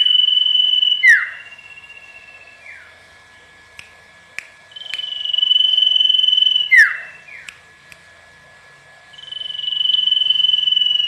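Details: Wild common iora in full song, played to coax a response: drawn-out trilling whistles of two to three seconds alternate with quick falling slurred notes and a few clicks, in a repeating cycle.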